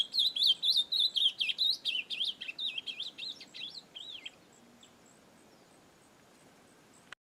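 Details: Ultramarine grosbeak in nature delivering an extended warbling song of clear, rising and falling whistled notes for about four seconds, gradually softer, followed by faint ambient hiss.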